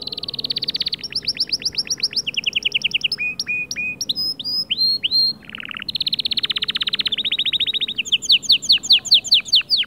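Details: Singing male white canary, song used to encourage other birds: a varied chain of fast mechanical trills and rattles switching pitch every second or so, with short clipped notes in between.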